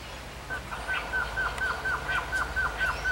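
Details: A male Blue-crowned Trogon singing a steady series of short, clear, mid-pitched notes, about four per second, over faint background hiss.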